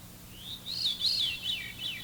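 Veery song: breathy, flute-like notes spiralling downward in successive rolls, each a little lower than the last, over a faint background hum.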